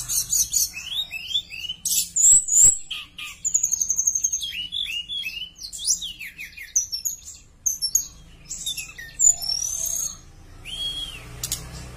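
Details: Javan bush lark singing energetically, recorded as a lure to get other bush larks singing: a dense, varied run of high chirps, rapid repeated notes, buzzy trills and clear whistles in quick phrases, ending with a falling whistle.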